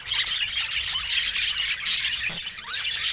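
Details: Happy pet budgerigar: short burst of bright twittering and high chirps, with small rising whistles and a sharp click near the end.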